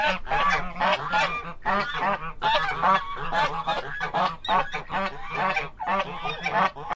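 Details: Guineafowl giving harsh, grating calls in dense rapid bursts, repeated in clusters with brief gaps, over a steady low hum.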